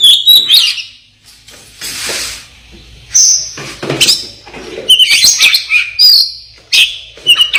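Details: Black-breasted Oriental magpie-robin of East Java singing clear, high whistled notes and quick trills in short phrases separated by pauses, with a few soft rustling noises between them.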